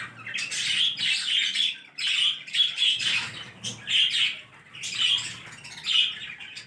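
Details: Green parrots chattering, the talk rendered as "mitho mitho"; harsh, noisy screeches in bursts about once a second, crowded together with short gaps between them.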